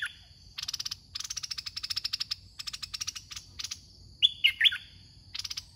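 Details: Caged red-whiskered bulbul serving as a trapping decoy in a contest: bright whistled phrase of three slurred notes past the middle, surrounded by rapid rattling bursts and a thin steady whine.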